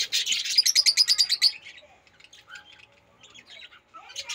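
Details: Rosy-faced lovebird, a pet cage bird, giving a loud burst of rapid high chirps for about one and a half seconds, then softer scattered twitters and a final brief chirping flurry.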